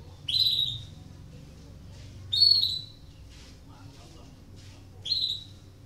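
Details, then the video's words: Breeding-condition canary whose calls are used to prompt other canaries into song: loud, piercing high chirps with a quick falling tail, repeated roughly every two and a half seconds, with faint soft twittering between them. "PANCINGAN KENARI BIRAHI , AMPUH MERANGSANG KENARI IKUT BUNYI || MASTERAN KENARI"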